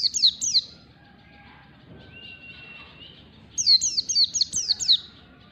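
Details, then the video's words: White-eye singing in the long standard 'ngalas' style while learning: a short high twitter, a quiet gap with a faint level whistle, then a fresh run of quick, sharply falling chirps. "pleci ngalas standar panjang 12345, PLECI BELAJAR NGALAS CEPAT BUKA PARUH"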